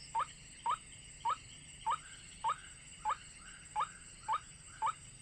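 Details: Trapping-lure recording of a white-breasted waterhen, a brief upward-sweeping note repeated roughly every half second, even and mechanical, over a steady high-pitched hum.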